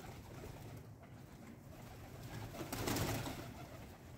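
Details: Low cooing from pigeons during their breakfast feeding time, murmured over a constant low rumble, with a burst of fluttering or rustling toward the end.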